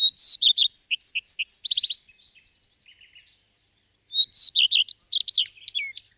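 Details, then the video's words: Common redstart, recording used as a lure: a clear whistled opening note, then quick scratchy and twittering phrases with a brief rattle, a near-silent gap, and a second similar phrase of whistles and chirps. "Chamariz, Señuelo, Rabirruivo de Testa Branca, Phoenicurus Phoenicurus, Colirrojo Real"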